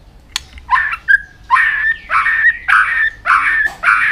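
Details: White-rumped shama training song meant to push the bird to sing fast and with many voices: loud harsh notes around a steady whistled tone, repeated in bursts roughly every half second.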